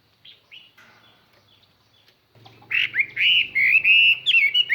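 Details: Chinese hwamei lure bird singing clear, far-carrying song to draw wild birds. A few scattered soft notes lead into a loud, continuous run of rising and falling whistles over a steady low hum.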